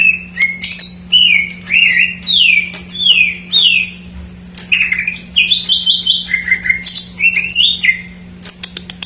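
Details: Greater green leafbird singing with filler phrases, played to coax untrained or silent birds: a fast series of bright downslurred whistles repeated about once a second, then jumbled chattering notes and upslurs, faint hum throughout.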